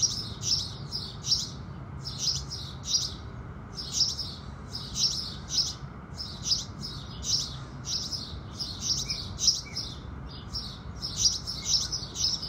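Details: House sparrows at sunrise in the morning give steady, bright chirps, several quick notes in bunches about every half second, over a soft low rumble.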